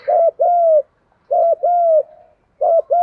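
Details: Spotted dove used as a decoy bird for trapping, singing in the Vietnamese 'giọng thổ pha' style: three loud, mellow cooing phrases, each a short hooked coo followed by a longer falling coo, in quiet surroundings.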